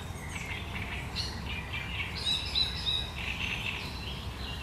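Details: Great reed warbler singing its sharp, chattering song on 1 July 2020: harsh, grating notes in rapid bursts, repeated several times a second and rising and falling in pitch, over steady low background rumble.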